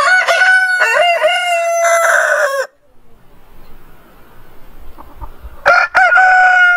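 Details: A rooster crows at morning, a long strained call of several wavering syllables running over two seconds, then a stretch of faint background before a second crow begins.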